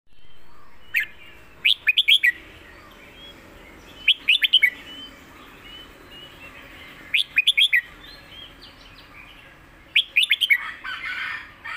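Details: Caged red-whiskered bulbul kept for singing contests, delivering a 'master song' style phrase with clear diction: four loud bursts of quick, slurred whistled notes, each of three to five notes, spaced two to three seconds apart over faint background chirps.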